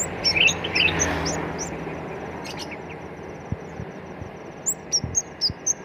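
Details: Ashy tailorbird singing: short, sharp, high chirped notes given singly and in quick pairs, with a cluster near the start and a run of evenly spaced notes at the end, separated by a quiet pause.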